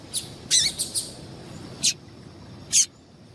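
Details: High chirping of a female yellow-bellied seedeater, played to excite males: a quick cluster of three or four clipped notes, one with a downward tail, then two isolated sharp chirps.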